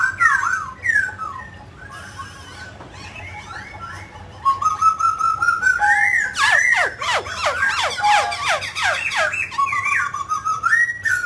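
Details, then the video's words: Singing mutant grey laughingthrush, performing a song-and-dance display. Opening wavering whistles, a quiet pause, then a long rising whistle that breaks into a burst of rapid, steeply falling sweeps and bright whistled notes, ending on a level tone. "Chú chim khứu xám tro đột biến hót múa cực đẳng cấp"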